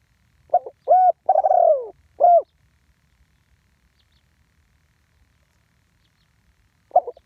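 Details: Live spotted dove, one-kuk ground decoy call: a full phrase of stuttered lead-in, steady hoot, long falling burry coo and a short closing hoot, followed by quiet with faint low rumble, then a new phrase starting at the end.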